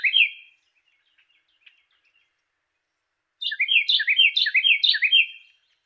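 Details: Carolina wren song, a clear-voiced training recording for songbirds: one short rolling phrase, a pause, then a bright burst of about five rapid repeated downslurred phrases, rich and whistled, with a quiet background.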